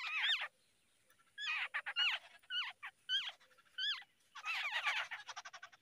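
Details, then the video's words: Babbler nestlings being fed by an adult in the early morning, giving harsh, buzzy, rising chattering calls in bursts separated by short pauses, some fast rattling series of notes. "Babbler bird feeding babies in the early morning"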